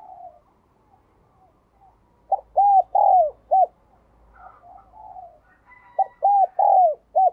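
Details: Calling decoy spotted dove: two loud four-note coo phrases, each with two drawn-out arched middle notes. A softer, fainter cooing and a thin higher tone are heard between them.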